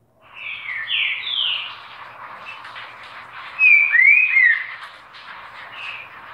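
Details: Green-winged saltator giving two separate phrases of sweet, slurred whistles, the second with sharp upslurred and downslurred notes, then a softer closing note, over a steady background hiss.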